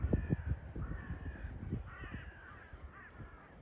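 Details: On a Latvian Baltic beach at Liepaja, a flock of crows calls: a run of rough, nasal caws, some doubled, clearer toward the middle, with footsteps crunching early on and wind rumbling throughout.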